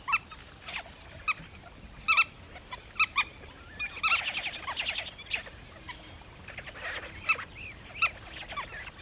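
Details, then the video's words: Several Black-winged stilts calling together: short, nasal kek notes scattered throughout, some overlapping in a busy chattering patch midway, with a constant faint high-pitched hum underneath. "សំលេងសត្វជើងទាន Black Winged Stilt"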